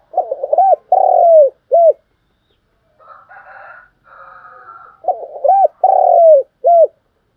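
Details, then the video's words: Calling coo of a spotted dove kept as a trapping lure: a phrase of stuttered notes, a drawn-out descending coo and a short closing note, repeated after a pause filled with a faint, muffled buzzing sound. "tiếng cu gáy mồi chuẩn gáy gọi dùng kích bổi tập mồi rất hiệu quả"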